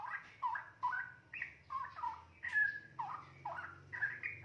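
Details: A single 2.5-month-old captive young straw-headed bulbul, already weaned and starting to sing, gives short, rich, gurgling warbled phrases about twice a second, some rising and some falling, over a low background hum.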